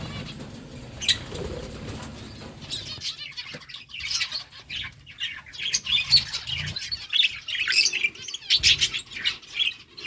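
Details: Budgerigars chirping in a flock: dense high chattering and twittering, busiest in the second half, with a low rumble of background noise early on.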